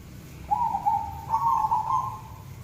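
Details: Tame white zebra dove (perkutut) with red eyes cooing: a low, soft, sustained note followed by a slightly higher, longer trembling coo, against a faint background hum.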